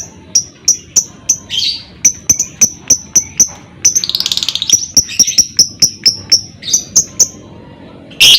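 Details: Lovebird in a lure recording meant to provoke other lovebirds into long ngekek singing: sharp high ticks repeated every few tenths of a second, broken by harsh buzzy bursts and a brief rapid rattling trill midway.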